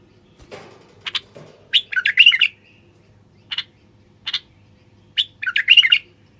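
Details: Singing male common bulbul, meant to set silent wild bulbuls singing and mating: a couple of faint knocks, then separate sharp notes and two bubbling, scratchy-whistled phrases, with isolated single notes repeated between them.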